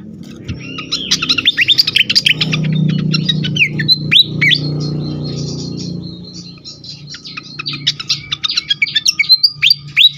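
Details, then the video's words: Agitated fantail singing, used to lure and stimulate other birds: rapid high sweeping chirps and downslurred whistles in dense bursts, a brief lull mid-way, then fast chattering resumes, with a low background hum. "sikatan kipas ngamuk sekali dengar cocok untuk pikat dan rangsangan bunyi burung bahan"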